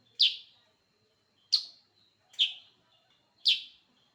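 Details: Sooty-headed bulbul giving four loud, clear chirped notes spaced about a second apart, each sharply attacked and quickly fading, in a quiet setting.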